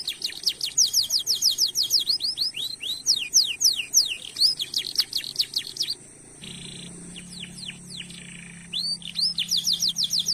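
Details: Lively canary singing, meant as a lure to prompt other canaries to sing with long rolls. Dense bursts of rapid high sweeping notes, a pause near the middle with a low steady hum, then fast chirping resumes.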